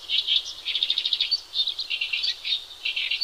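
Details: Gacor song of a Horsfield's bush lark, used as masteran for training other birds: rapid runs of buzzy, high chirps and trills, with a thin whistled accent, delivered in quick bursts separated by brief gaps.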